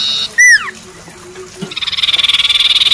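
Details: Common iora, or cipoh, described as a stage champion. A loud, falling whistled note comes first, then a pause, then a rapid, rattling trill of evenly pulsed notes that builds steadily in loudness for over a second.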